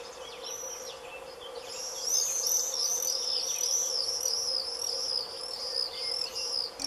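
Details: Common swifts (Apus apus) fly in screaming on 5 June 2022 at Dannenberg (Elbe), Germany: shrill, high screams in quick overlapping bursts, about three a second, against a steady low background hum.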